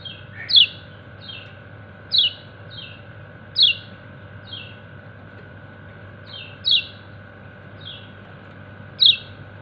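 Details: Kecial kuning, a white-eye, calling to its companions with sharp high chirps in a 'ciak ciak' style, each a short descending note paired with a softer lead-in, repeated about every one and a half to two and a half seconds over a steady low hum.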